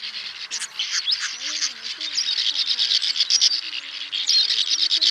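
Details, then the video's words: Roosting call of swiftlets, male and female together, used to lure birds: continuous rapid chittering and scratchy twitters, overlapping voices with no pause, faint low wavering tones underneath. "Tiếng Én Mốc , Nhạn Nâu Xám Gọi Bầy Ru Ngủ Lùm , Trống Mái Kêu Chuẩn Nhất 2024"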